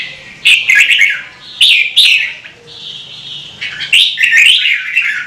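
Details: Red-whiskered bulbul song to encourage other birds to sing: clear, cheerful warbles, a drawn-out flat whistle midway, then a tumbling run of rising and falling notes.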